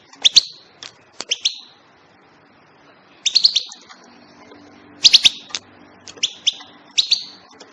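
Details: European goldfinch giving bright, sharp chirps in short clusters of two to four notes, separated by pauses of about a second or two, over a faint steady low hum.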